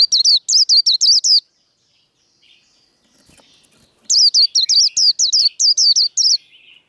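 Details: Caged Japanese white-eye in líu đấu fighting-song style, meant to rouse other birds: a rapid run of piercing, high, upward-flicking notes, a pause of near silence with faint chatter, then a longer run of the same shrill repeated notes.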